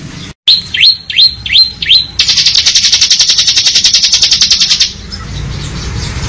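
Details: Bar-winged prinia singing in the ngebren style: four quick high upslurred whistles, then a long, fast, buzzy high trill of evenly pulsed notes lasting almost three seconds, ending in faint low background hum.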